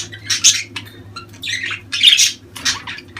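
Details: Budgerigar calls meant to encourage mating: a few bursts of harsh, buzzy chatter separated by brief pauses, with a faint low hum underneath.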